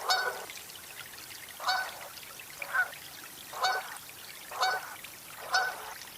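Canada goose giving loud, nasal honks, about six spaced a second apart, each a short two-note 'ha-ronk'; faint trickling water below.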